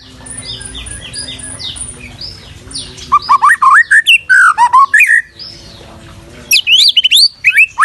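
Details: Masteran recording of a white-rumped shama: soft high descending notes at first, then loud varied whistles, wavering slurs and bright upswept phrases, pausing briefly before a final sharp burst.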